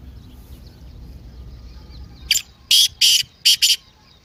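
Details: Partridge calling to stir a silent kept bird: after a quiet start, a single note leads into four loud, scratchy high notes in a rapid, slightly uneven rhythm.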